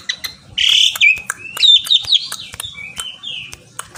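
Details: Javan pied starling calling a rival, giving a buzzy burst followed by a chain of wavering whistled notes and sharp ticks, fading toward the end.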